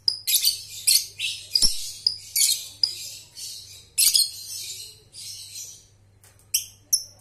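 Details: Lovebird ngekek trill played to train young birds: a string of high scratchy chattering bursts with whistled squeaks, fading near the end, over a low hum.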